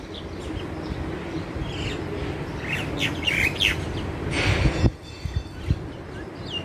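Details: A crested myna (jalak Cina) calling actively outdoors beside black bulbuls, singing a busy jumble of short whistles, chirps and squeaky notes, with a harsh rasping burst near the end over steady low background noise.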